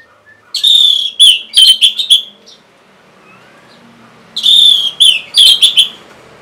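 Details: Orange-headed thrush, used as a prompt for stubborn or lazy caged singers: two loud bursts of high, buzzy, rapidly repeated notes separated by a couple of seconds of near silence.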